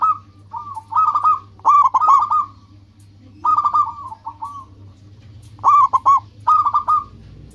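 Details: Lively local zebra dove song meant to attract rivals: bursts of quick, rolling, bubbling coos in several phrases separated by short gaps, some phrases rippling and others clipped, over a constant low hum.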